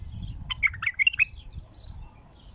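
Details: Wild-caught raw bulbul of the Alwazi Baghdadi type, singing for the first time: a quick burst of about six warbled, whistled notes in under a second, then one faint higher note, over a low rumbling background.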